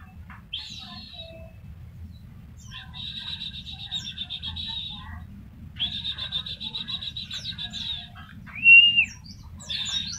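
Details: A white-eye (pleci) delivering tembakan-style song for tutoring: short, buzzy, high trilled bursts separated by pauses, with one loud arched whistled note near the end and a brief trill closing it.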